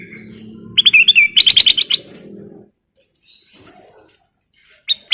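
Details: Sooty-headed bulbul (golden kutilang) in lively full song, used as a lure: a quick burst of bright chirping, bubbly notes lasting about a second, over a faint low hum, then quiet with a short chirp at the end.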